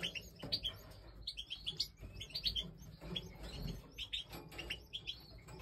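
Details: Nestling European goldfinches of the Major form calling as they are fed in breeding season; steady stream of sharp high chirps in quick clusters, lasting throughout, over faint low noise.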